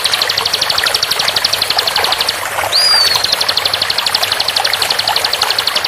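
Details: Bar-winged prinia in a master training recording for captive birds, 'tembakan' style song at tight speed: a rapid, steady series of high sharp notes, about four a second, broken by one rising-falling whistle, over constant running water.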